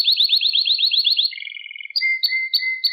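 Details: Domestic canary singing, meant as a training recording for young canaries: a quick chattering trill of high repeated notes, then a low soft roll and several short clear whistled notes spaced about a third of a second apart.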